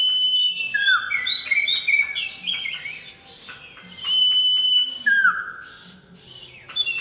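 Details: Male common iora, locally cipoh or sirtu, singing to call a female: bright level whistles, stepped notes and a falling slurred note, repeated in a lively string with short pauses.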